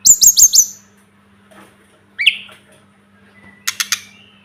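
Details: Sunda robin, known locally as tledekan gunung or sulingan gunung, in a masteran recording: a quick burst of four bright whistled notes, then a lone rising swoop and a short buzzy trill between pauses, over a faint steady hum.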